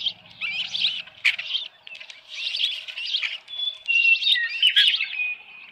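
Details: Osprey at the Dunrovin Ranch nest with a headless fish, 10 June 2018 around 6:41 PM: scratchy chirp bursts, then sustained thin whistles rising and falling, a low hum briefly at the start and a couple of clicks.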